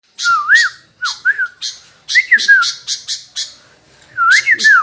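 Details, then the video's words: Sooty-headed bulbul in lively song: short bubbly whistled phrases that rise and fall, mixed with harsh high squawky bursts, delivered in quick groups with brief gaps between them. "MANTAAAP BURUNG KUTILANG GACOOR LURR"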